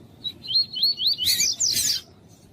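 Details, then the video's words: Double-collared seedeater with a female calling, used to warm up a male for singing tournaments: a string of clear, slurred, rising whistles, then harsher buzzy, scratchy notes. "ESQUENTAR COLEIRO TUÍ-TUÍ COM COLEIRO TUÍ-TUÍ E FÊMEA CHAMANDO"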